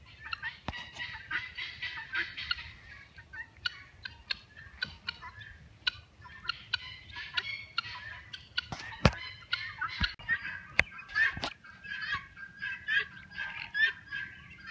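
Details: Helmeted guineafowl (Numida meleagris), raised and bred for tick control in the northeastern United States, give a noisy chorus of harsh, rattling, repeated calls.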